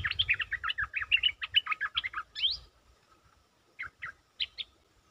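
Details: Caged stripe-throated bulbul, a lure bird, pours out a long rapid stream of jumbled bubbly notes for over two seconds, ending on a rising whistle, then a few scattered notes after a pause.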